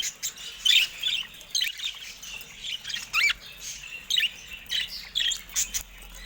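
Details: Budgerigars held in a cage near a camera they peck at; short, separate chirps and squeaky notes roughly every half second to second, over a quiet background.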